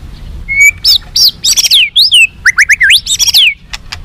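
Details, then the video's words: White-rumped shama song played to make captive birds more responsive and fighting: a level whistle, then a rapid run of high looping, upslurred and downslurred whistled notes, loud and varied. "SUARA BURUNG MURAI BATU FIGHTER"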